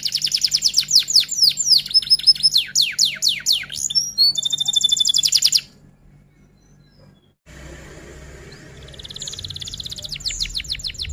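A canary pours out rapid high trills and quick falling whistled sweeps for several seconds, pauses briefly, then resumes more quietly over a faint low hum.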